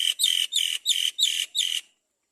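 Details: Mother Great myna carefully feeding her chick: six loud, grating, buzzy calls in rapid succession, each about a quarter second long with a slightly falling tone, then the sound stops.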